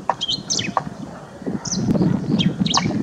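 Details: A male Bristled grassbird (Chaetornis striata) calling in the breeding season at Sodepur, West Bengal, gives short, scratchy high chirps and squeaky notes in irregular bursts, over a low rumbling background of wind or distant noise.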